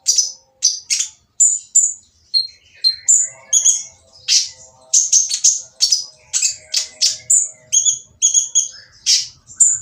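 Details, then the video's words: Oriental magpie-robin singing loudly and roughly to provoke other magpie-robins to answer: a dense, continuous stream of varied high whistles, harsh rasps and clipped chirps, each note short and sharply separated. "konin yang diam malas bunyi akan nyaut jadi gacor setelah mendengar suara konin berisik ini"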